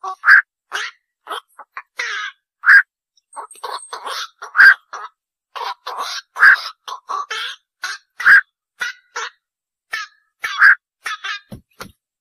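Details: Black-crowned night heron giving dense, rhythmic bursts of harsh squawking over twelve seconds. Loud hoarse notes recur among many shorter rasping calls.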